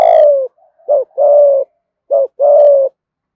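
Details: Lure spotted dove giving a thúc gù coo in the thổ voice: a long low coo, then twice a short clipped note followed by a longer steady hoarse coo, about a second between phrases.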